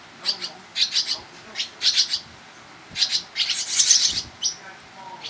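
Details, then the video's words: Barn swallow chicks being fed by fast-returning parents, Toronto, Ontario, Canada, 11 July 2010, give bursts of high, scratchy twittering begging calls, several clustered notes at a time, repeated roughly every second with a louder flurry near the end. "Barn Swallow (Hirundo rustica)"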